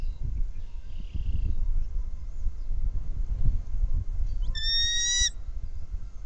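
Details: At a nest with three bald eagles, a camera picks up one short burst of high, piping chirps near the end, after a quiet stretch of low wind rumble.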